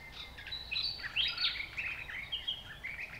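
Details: White-naped Honeyeaters (Melithreptus lunatus) at a birdbath on a habitat-restored property in the Capertee Valley, NSW, between late May and early October 2018: a busy stream of short, high chirps and slurred notes that overlap almost without pause.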